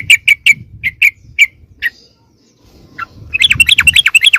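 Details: Bulbul lure call, yellow-vented, for calling wild birds in: about a dozen spaced sharp chips slowing down, a pause, then a rapid bubbling chatter of rising and falling notes.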